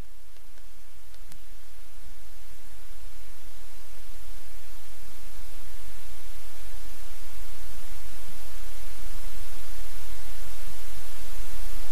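Steady hissing static and low rumbling microphone noise that grows louder throughout, with no animal voice.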